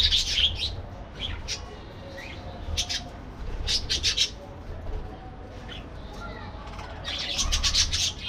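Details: Parakeets in an aviary: bursts of sharp, high chirps and short squawks in clusters, with quieter gaps between flurries and a low steady hum underneath.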